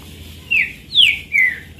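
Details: Green-winged saltator, singing alone for joy with no rival nearby, gives three loud clear whistles that each fall in pitch, evenly spaced.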